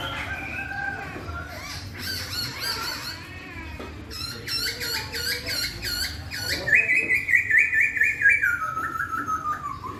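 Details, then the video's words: Melodious laughingthrush song that prompts another, usually quiet laughingthrush to answer within a minute. Mixed chattering and squeaky notes lead into a clear whistled phrase that wavers, then slides steadily downward near the end. "KICAUAN POKSAY YG MERDU MEMBUAT POKSAY LAIN LANGSUNG NYAUT"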